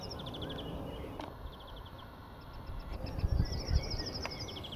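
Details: A Great Tit, at first mistaken for a Yellowhammer, gives short runs of thin, high, quickly repeated notes, several bursts in a few seconds, over a steady low rumble of wind and handling noise.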